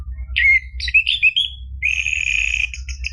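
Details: Orange-headed thrush song played so a caged bird will sing: a few sharp slurred notes followed by a steady bright whistled warble, with low steady hum.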